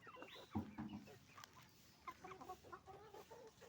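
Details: Roosters and hens at a chicken farm: a loud squawk opens, followed by busy rapid clucking from several birds and a low background hum.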